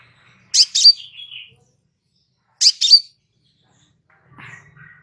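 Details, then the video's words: Calm crimson sunbird used as master material for cage birds: two piercing double chips about two seconds apart, the first trailing into a soft twitter, then a faint low warble. "Suara SANTAI Kolibri Sepah Raja"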